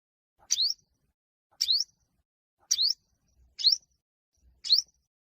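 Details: Sharp, high upslurred chips from an olive-backed sunbird, five in a row about a second apart, part of a fierce fighting song used to provoke other birds, recorded without background noise.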